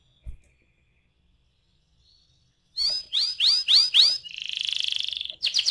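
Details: Canary song with rolling 'ngeroll' style, used as a lure to get other canaries singing: a quiet start, then bright downslurred whistled notes repeated rapidly, followed by a sustained buzzy trill and a final burst of notes.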